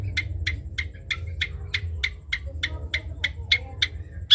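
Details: Long-tailed shrike of the trotol type, kept as a tutor-song bird: short harsh notes repeated about every third of a second, all on the same pitch, with low rumbling hum underneath.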